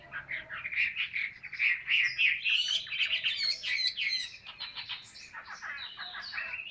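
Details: Caged Vietnamese hwamei performing 'ngũ trường cao cầu' song: a fast, continuous stream of chattering, rattling notes and bright whistles, loud and busy throughout with little pause.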